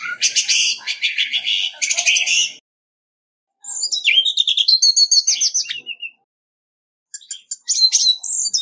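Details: Orange-headed Thrush decoy bird singing competitively, clean recording: dense, scratchy, high-pitched phrases of rapid chattering notes, broken by silences of about a second, the middle phrase more musical with falling whistles.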